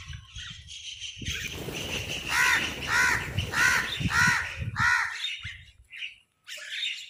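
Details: Crows fighting over food give a run of five harsh, hoarse caws, one about every 0.6 seconds, over a low rumbling noise, with higher chattering calls from other birds around them.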